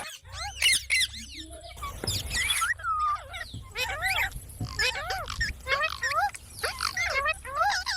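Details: Pet parrot talking: a busy run of shrill, squeaky syllables and chattering notes that rise and fall, in quick bursts with short gaps, over a steady low hum.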